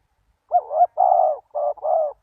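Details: Spotted dove cooing to lure wild doves: four low, hoarse coos in two seconds, the first a looped, rising-and-falling double note, the rest broad and steady, with a short gap midway.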